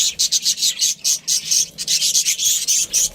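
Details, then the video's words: Pet budgie chirping: rapid, raspy, grating chatter of short buzzy notes, about four per second, loud and continuous. "cute budgie chirping sounds"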